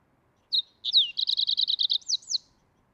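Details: Green-tailed towhee giving a short phrase: a high opening note, a downward-slurred whistle, then a rapid even trill of about nine notes, and two sharp falling notes to finish. The background is quiet.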